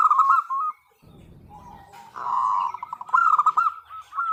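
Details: Female zebra dove calling to the male: a sustained trilled coo, a brief low rumbling gap, then a longer rolling coo that breaks into short pulsed notes.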